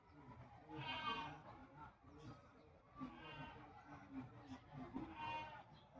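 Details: Hadada ibis communicating: three loud, nasal, harmonic calls spaced about two seconds apart, each a rough drawn-out note, over steady low background rumble.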